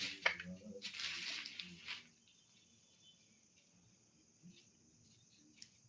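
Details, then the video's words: A pet talking Alexandrine parakeet that mimics a telephone and says "hello" and "haan haan" gives two seconds of harsh, raspy, speech-like chatter, then falls quiet apart from faint room noise. "Talking Parrot Making Telephone Sound | Funny Parrot Saying Hello Haan Haan"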